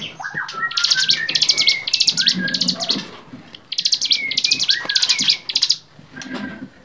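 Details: Bar-winged prinia song meant to teach songbirds: two loud runs of quick buzzy chattering bursts with thin whistles beneath, a short gap between them, and a quieter ending.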